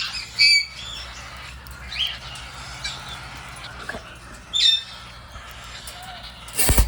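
Cockatiels give harsh, squawky whistled calls, spaced a second or two apart, over a low background hum.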